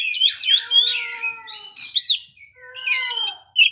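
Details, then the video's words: Kacer (Oriental magpie-robin) showing off fill-in material: busy twittering whistles mixed with long, smooth descending tonal notes lower in pitch, then a brief pause and another warbled burst. "kacer ngeplay bongkar isian"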